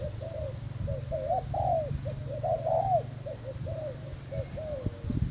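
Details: Thai-strain spotted dove kept as a decoy bird, recorded 18 June 2018: soft, mellow coos in quick runs of arched notes, some rolled together, over a steady low rumble and thumps.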